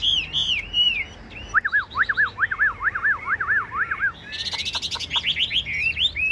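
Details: Caged Chinese hwamei, a tame bird with a fig-leaf tail, singing a varied song: high whistled slurred notes, then a run of about eight repeated rising-falling phrases, ending in a dense burst of clipped notes and warbled whistles.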